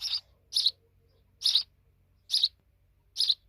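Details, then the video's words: Grown sparrow babies: five short, raspy chirps, roughly one a second, each a brief noisy burst with quiet gaps between. "Little Sparrow Babies Big Now"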